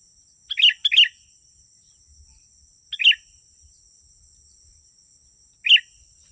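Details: Sooty-headed bulbul song used as a lure to draw wild bulbuls closer: short, bright chirpy phrases, a quick pair near the start and then single bursts about every two to three seconds, over a steady thin high whine.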